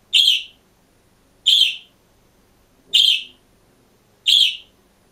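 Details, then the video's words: Green budgerigar, caged on its own, calls four times with identical loud, piercing high chirps spaced about 1.3 seconds apart, steady and regular. "МИЛЫЙ И ЗАБАВНЫЙ ПОПУГАЙ ПОЕТ И ЧИРИКАЕТ/ОДИН В КЛЕТКЕ"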